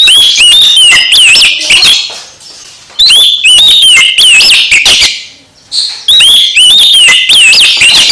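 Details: Oriental magpie-robin song that prompts another magpie-robin to sing eagerly: three loud phrases of looping whistles and chirps, each about two seconds long, separated by short pauses.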